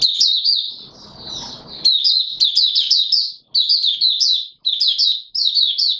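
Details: Caged white-eye, not yet in full condition, singing on 9 May 2022: a rapid, high twittering warble in bursts of about a second with brief pauses between phrases; a soft rustle sounds early on.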